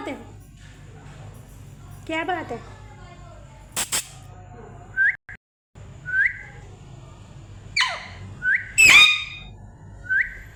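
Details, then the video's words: Parrot making noise: scattered short sharp whistled chirps and squeaks spaced a second or two apart, with a few clicks and a steady low hum in the background. "Parrot making noise||parrot sounds"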